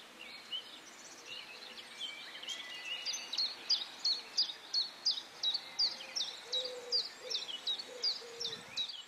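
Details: White wagtail of the nominate subspecies at Quiberon, France, in May: a steady run of sharp, high chirping notes, about three a second, over a constant hiss of surf or wind, with a low note faintly beneath.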